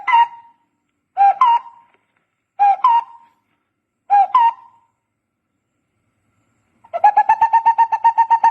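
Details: Barbet sounds: four separate double whistled notes that rise and then drop, spaced a second or more apart. A fast run of repeated hollow pulses follows near the end.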